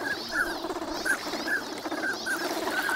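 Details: Ducks gathered for winter at Nagahama on Lake Inawashiro, Japan, on a sunny morning; scattered short calls sound every half second or so against a soft watery background.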